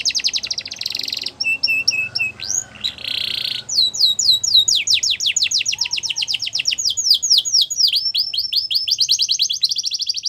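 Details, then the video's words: Yorkshire canary singing a training song meant for young canaries: rapid trills of descending high notes, buzzy rolled tours and sweeping whistles, shifting between phrases every second or two. "Yorkshire Canary Singing | Canary Training Song"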